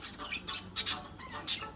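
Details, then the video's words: Small parrots, filmed to show their courting and fighting behaviour, give sharp, high, scratchy squawks and chatter in quick bursts, about four in under two seconds, in a small indoor room. "How do small parrots make love and wars/Live sound"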